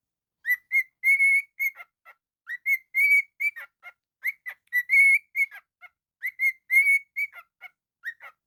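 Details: Pet cockatiel, described as naughty, vocalising indoors: a string of bright whistled notes with buzzy overtones, short phrases broken by clicks and chirps, some notes held and slightly rising, repeated in bursts across the clip.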